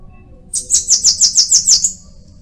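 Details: Bananaquit, locally mariquita or tietê: a quick series of about seven shrill buzzy notes, evenly spaced, lasting under one and a half seconds.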